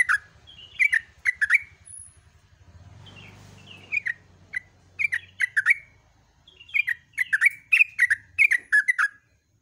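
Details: At dawn, a yellow-vented bulbul delivers 'gacor ropel' song: repeated clusters of liquid, warbling phrases with crisp clicking edges, a short pause filled by faint rumbling noise, then more rapid bubbly bursts.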